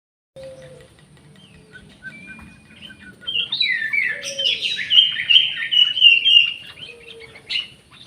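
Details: Orange-headed thrush singing in an aviary: a few soft thin whistles, then a loud rich warbling phrase of rapid varied high notes lasting about four seconds, ending with a short sharp note.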